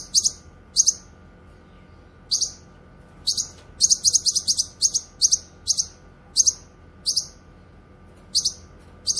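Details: Cucak kinoy (grey-cheeked bulbul) singing in a lively gacor style: short, bright, high chirps arrive in pairs and in quick bursts, separated by brief pauses. A soft steady hum runs in the background.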